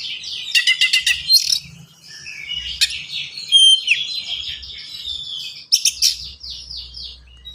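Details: Oriental magpie-robin in fast, dense, fill-rich song meant to train and prompt untrained magpie-robins: rapid ticking trills, buzzy chatter, thin high whistles and a run of repeated descending slurred notes.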